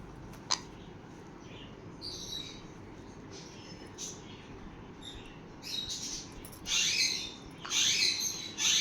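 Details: Sun conure parrots playing: quiet scattered chirps and a click for several seconds, then a run of loud, rough screeches close together toward the end.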